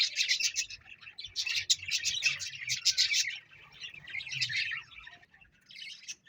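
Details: Quick, high, scratchy chirps from a parrot run in busy strings for about five seconds, then thin out into a few scattered squeaks.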